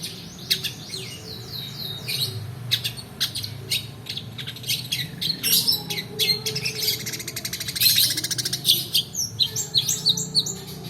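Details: Long-tailed shrike singing a long rolling song, played as a lure for quiet birds and a model for training others. Rapid varied chirps, downslurred whistles and a buzzy rattling trill run near-continuously over a faint low hum.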